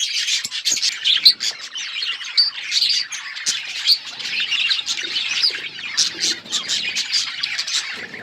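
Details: Many budgerigars chirp continuously, a bright chatter of quick high tweets, buzzy warbles and clicks that rise and fall in loudness.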